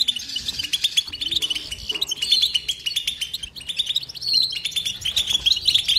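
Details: A European goldfinch sings in an unbroken twittering stream, mixing quick tinkling chirps, short slurred whistles and buzzy trills that swell and fade in waves.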